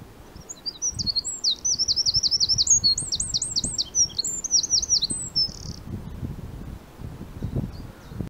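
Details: A male Eurasian wren at Bispham, Blackpool, on 5 April 2020 pours out a loud, very high song of about five seconds, with fast rattling trills and sharp notes, over a faint low rumble.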